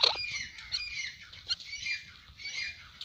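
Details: Francolin, locally called Irani tetar and described as a yellow francolin, making rough, scratchy squawks with a sharp opening note, then a jumble of grating calls and a few loud peaks over faint background noise.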